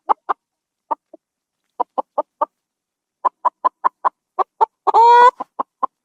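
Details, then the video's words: Chicken clucking in a henhouse: short clipped clucks in loose bursts, with one longer drawn-out squawk near the end; otherwise quiet. "SOM DE FRANGO"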